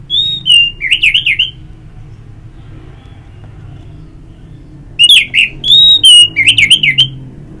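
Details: Orange-headed thrush, ngeplong song meant to stimulate singing. Two bold phrases of clear whistles ending in rapid warbled trills, separated by a few quiet seconds.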